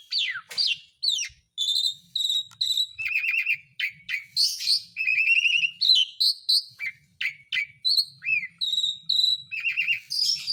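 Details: Lure for silent birds, Asian pied starling song: rapid sequences of short chirps and whistled notes, repeated phrases in steady runs, with occasional louder swooping whistles across the passage.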